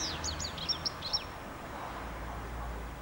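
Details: Song phrase from a male common redstart at Lipka in Wielkopolska, Poland: a rapid run of high, sharply descending chirps and short notes lasting about one second, followed by quiet with low background rumble.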